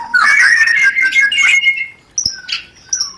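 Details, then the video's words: White-rumped shama mating-lure 'rencetan' song: a loud, dense burst of scratchy chattering whistles for two seconds, followed by a few sparse, sharp high notes. "pancingan Suara Rencetan Ini Ampuh Membakar Birahi Murai"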